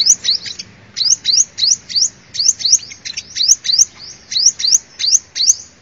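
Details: Lure recording of a sunbird giving loud, high, rising upslurred chirps, mostly in pairs, repeated steadily through the clip.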